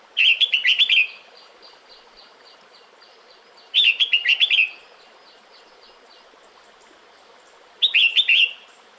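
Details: Female red-whiskered bulbul calling the male in the breeding season, delivering three bursts of rapid chirping, warbled whistles, roughly every four seconds, clear and close with a quiet background.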